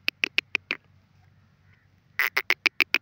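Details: Grey francolin, known locally as teetar, giving evenly spaced sharp, clipped notes, five in quick succession, a pause, then a louder run of seven, over faint low background hum.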